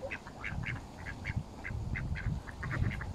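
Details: Mallards in a feeding frenzy alongside Canada geese at Smith's Pool, Fenton, Stoke on Trent, November 2021, phone recording: a quick series of short, evenly spaced calls over a constant low rumble.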